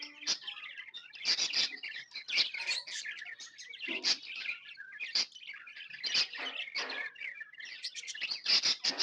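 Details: Several happy pet budgies keep up a busy stream of high chirps, rapid twittering and scratchy warbled phrases, with sharp louder squeaks breaking through every second or so.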